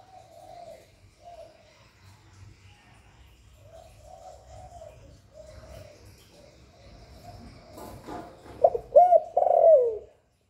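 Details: Spotted dove cooing to stimulate other doves: a run of soft, low coos repeated at a steady pace, ending in a louder, sharper coo phrase near the close.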